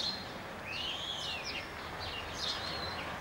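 Common Starling singing a jumble of slurred whistles, a long rising-then-falling whistle and scratchy clicks, over a steady hiss of outdoor background noise.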